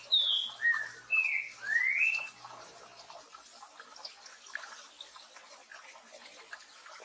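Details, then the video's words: Four whistled notes open the "Tio João Pedro Boi" song of a green-winged saltator (trinca-ferro), the last rising sharply; steady rain continues alone afterward. "TRINCA FERRO CANTO TIO JOÃO PEDRO BOI"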